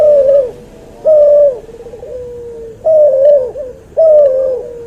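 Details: Cuhu dove, a cross between white albino puter and puter pelung, cooing in long level notes that end in a softer, lower tail. Four phrases arrive at uneven intervals, with quieter wavering coos between them.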